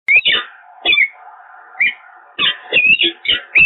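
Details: A pair of peregrine falcons meets at the nest on the Evoluon in Eindhoven, Netherlands, on 13 February 2023, and the male soon flies off. Harsh, grating chittering calls come in quick irregular bursts, with some rising, whining notes between them.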